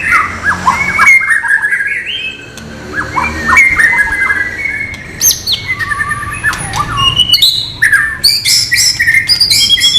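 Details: White-rumped shama in its non-bubbling song style, used as song-training material: rich whistled phrases, slurred upward and downward notes and high sharp chips, building to dense rapid high notes toward the end.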